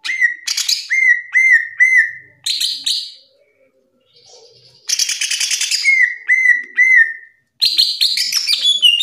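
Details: Greater green leafbird, ranked top nationally, singing a masteran: clear whistled notes repeated in a steady series, alternating with scratchy chattering bursts and higher sliding phrases, brief pauses between sections.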